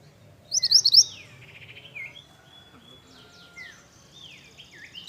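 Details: Pied bush chat, known in Indonesian as mantenan, opens with a fast cluster of high upswept whistles, followed by quieter sliding and drawn-out whistles from other birds in the background.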